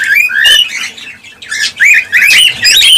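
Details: Cockatiels calling, a sound offered to stimulate mating and breeding: bursts of loud, harmonic rising chirps and squeaky whistles in several clusters, separated by short quieter pauses.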